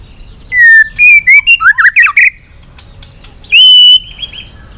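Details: Long training song of a White-rumped shama, meant to stir rival shamas. It opens with a clear whistled note, then a quick run of sharp rising notes and chatter. A pause follows, then one loud, pure, sustained whistle.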